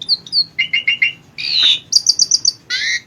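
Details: Asian pied starling singing vigorously, recorded as training audio for songbirds: short whistled notes near the top of the range, a run of four repeated mid-pitched chirps, a loud buzzy rasping burst, then a quick series of high clipped whistles.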